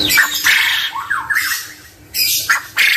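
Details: Male quail uttering loud, rasping squawk calls in a few strong bursts, with a short quieter pause before the last calls.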